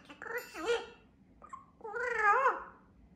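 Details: Pet double yellow-headed amazon parrot, living indoors on the island of Vesterøy, talking and praising itself: two short speech-like phrases with wavering, voice-like tones, the second louder and longer, in a quiet small room.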